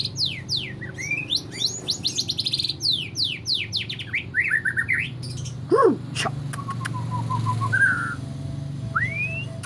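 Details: White-rumped shama, described as easily agitated, opens with rapid runs of sharp downward-sweeping notes and trills, then slows to scattered whistles, a short stuttering series and a rising slurred note, with a few knocks in between.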